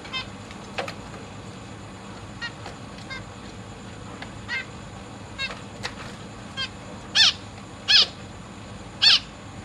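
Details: Zebra finch family in a big cage, August 2023, with parents feeding three juveniles and three newborn chicks. Scattered soft nasal chirps build into three loud, harsh, buzzy calls near the end, about a second apart.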